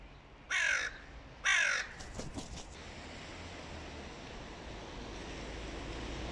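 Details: Hooded crow, the boss crow's mate, calling to demand an attack on a young crow: two harsh, loud caws about a second apart, followed by faint clicking and quiet background hiss.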